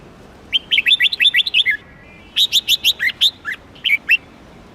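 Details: Red-whiskered bulbul singing two lively phrases: a run of about ten rippling whistled notes ending in a downward slur, then a looser series of loud chirps with varied rising and falling shapes.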